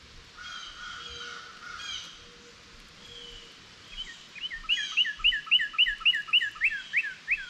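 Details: Northern cardinals waiting for seeds to fall while a squirrel feeds; faint mixed bird calls at first, then a quick run of about a dozen loud, clear, down-slurred whistled notes at an even pace.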